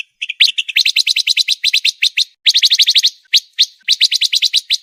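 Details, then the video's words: Pancawarna song, a fast dense master recording for training contest birds: rapid bursts of sharp, high chirps repeated many times a second, broken by short pauses. "MASTERAN MEWAH BURUNG PANCAWARNA‼️SPEED RAPAT COCOK UNTUK BURUNG LOMBA"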